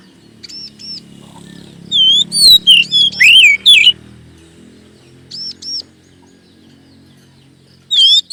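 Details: Oriental magpie-robin (kacer) lure song for prompting caged kacer to sing; a burst of bright, looping whistled notes, then doubled arched chirps, over a steady low humming background.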